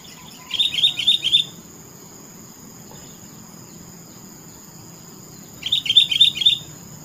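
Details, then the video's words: Sooty-headed bulbul giving two short, evenly pulsed bursts of bright chirps, each about a second long with four or five quick notes, spaced several seconds apart over a quiet hissing background. "Suara burung Kutilang TOPCER merdu sekali"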